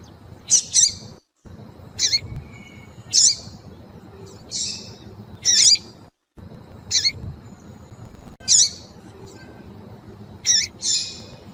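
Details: Female Double-collared seedeater in heat, calling to rouse a male, kept by breeders: sharp, high chipping notes, single or in quick pairs, every one to two seconds, with brief dead-silent gaps and faint background hiss.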